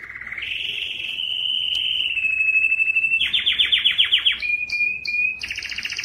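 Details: Strong male canary singing, recorded to spur other males to sing: long rapid trills held steady, then a run of fast descending sweeps, short sharp high notes and a closing buzzy trill.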